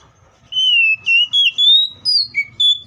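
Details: Oriental magpie-robin fighting song, aimed at making other magpie-robins sing, with long descending whistles, clear higher notes and a short low phrase, over faint low background rumble.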